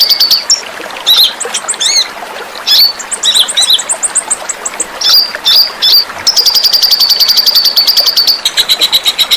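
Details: Tutor song of a small bird with a sharp, spicy voice, for training pet birds: varied squeaky whistles and twittering phrases, then a long, rapid, very high trill and more chatter.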